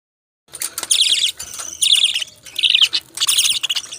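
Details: Pet budgerigars chirping: bursts of bright, rapid warbling chatter about half a second to a second long, separated by brief pauses, with clicks between bursts.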